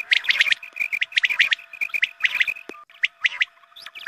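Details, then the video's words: Lure call for quail, broadcast around the dawn call to prayer: quick runs of high, ringing chirps about once a second in uneven clusters, a short pause near the end, and a low steady hum. "Batair mast awaz"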